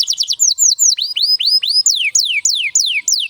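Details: Canary song used to prompt other canaries to sing and as a tutor for young birds: rapid high trills of repeated swooping notes, then descending slurred whistles sweeping downward, loud and continuous.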